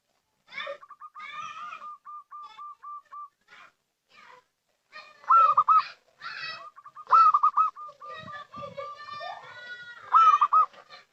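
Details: Local zebra dove lure call: a loud rolling three-part coo, then a rapid run of about a dozen short even cooing notes, repeated. Other harsh harmonic calls are mixed in between phrases.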